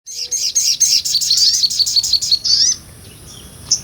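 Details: Sunbird, locally called sogon, a small nectar-eating bird singing in a full 'ngobra' style used as tutor song for other songbirds: rapid, very high, sharp repeated notes for about two and a half seconds, then a thin fading trill.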